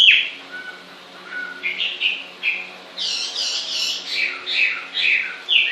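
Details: Softer, more distant bird singing: a high opening whistle, a few low short notes, then a burst of layered warbling phrases repeated in quick succession toward the end.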